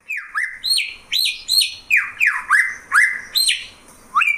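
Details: Greater green leafbird (cucak ijo) giving loud, swooping whistles that dip down and back up, repeated roughly twice a second in a steady series.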